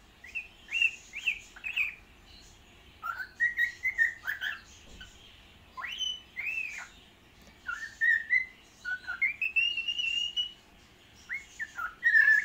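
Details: A happy cockatiel, singing while playing, gives a run of bright whistled notes in short bursts, some rising, some warbling.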